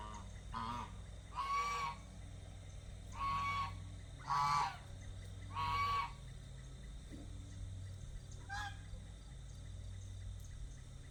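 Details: Domestic geese in a pen, fed and given fresh water, honk about every one to two seconds: four clear nasal honks followed by a fainter one, then quieter background rumble.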